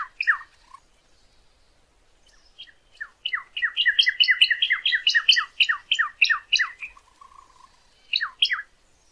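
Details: Cardinal song for tutoring captive birds: after a brief opening note, a long steady series of quick two-part down-slurred whistles, ending with a couple more falling notes.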